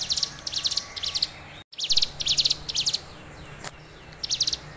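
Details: Energetic song of a tame hill prinia. Clusters of fast, sharp, high-pitched chips come in quick succession, with a brief dropout of sound and a click partway through, then quieter stretches before the bursts return.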